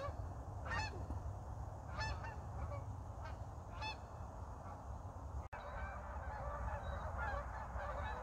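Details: Flock of geese flying overhead in northern Idaho in early winter before any snow; nasal, harmonic honks repeat roughly every second or two, with a steady low rumble of wind or distant traffic throughout.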